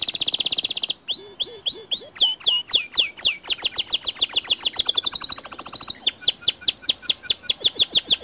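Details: White canary singing to draw other canaries into song: a sustained high trill, then descending whistled slurs, rapid rattling trill rising slightly in pitch, and sharp falling chirps.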